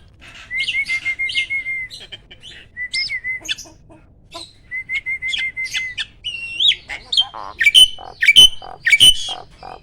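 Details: Caged prize-winning competition starling delivering loud rapid-fire 'tembakan' song: steady level whistled notes near the start, then increasingly harsh chattering bursts and sharp rising whistles that grow louder toward the end.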